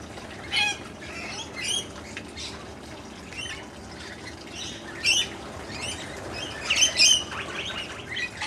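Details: Family of blue-faced honeyeaters (Entomyzon cyanotis) visiting a garden in Brisbane, Australia, giving harsh, squawky calls in short bursts every second or two over a steady background hiss.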